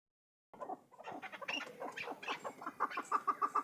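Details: Hybrid chukar partridge calling: after half a second of silence, a dense run of short clucking notes builds into a steady series of clipped, evenly spaced chuck notes near the end, about four per second.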